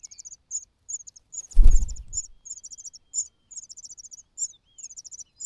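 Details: A hungry young cuckoo calls among full host chicks with short, sharp high chirps in quick clusters. A single dull thump sounds near the middle.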